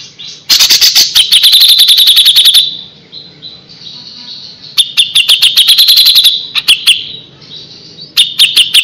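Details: Grey-cheeked Bulbul in lively, chattering song: long bursts of rapid, high, sharply repeated notes, three separate runs with short quiet gaps between them.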